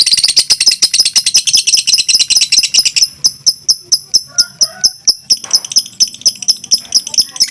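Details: Two fighter lovebirds in a tight contest, singing over two minutes. A thick, rapid high chatter gives way to spaced, thin, sharp notes repeated roughly twice a second, with brief softer twitters beneath.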